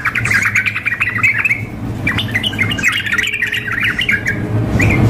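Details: Contest-simulation mix of a female sooty-headed bulbul calling the male and a frantically singing bird; quick chattery notes and short whistles in two busy bursts, with a low humming background.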